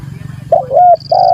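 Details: Spotted dove calling to challenge a rival, recorded for use as a lure: a short burst of low hooting coos, two linked notes then another, over a steady low hum and a thin high tone.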